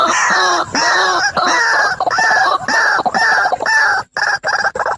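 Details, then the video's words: Loud, nasal, rasping croaks from a white-breasted waterhen pair, male and female, used for bird trapping. The notes run almost without a break, each harmonic-rich, with short gaps near the end. "SUARA BURUNG RUAK RUAK || JANTAN DAN BETINA"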